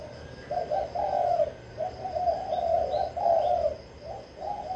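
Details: Vĩnh Long spotted dove cooing kích bổi style to draw out wild doves: repeated warbling coo phrases about a second long, broken by short pauses, with faint chirps from other birds.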